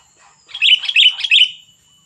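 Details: Sooty-headed bulbul giving its 'cengkram' song style, described as super fierce: a short bubbly phrase of three quick warbled notes, rising and falling, lasting about one second, with no other sounds.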